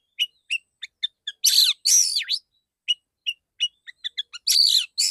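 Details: Male white-rumped shama producing a rapid series of short sharp chip notes broken by loud rasping, buzzy bursts with swooping whistled tones, clear and unaccompanied.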